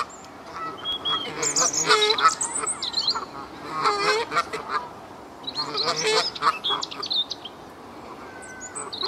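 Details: Canada geese in the Herten castle park, Germany, honk in loud, nasal two-syllable bursts, several calling over one another, with quieter gaps between flurries and a soft background murmur.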